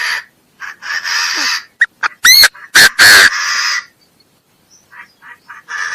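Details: Chinese francolin calling with loud rasping bursts, interrupted by sharp clicks and quick rising whistled sweeps. Softer scratchy notes follow after a pause.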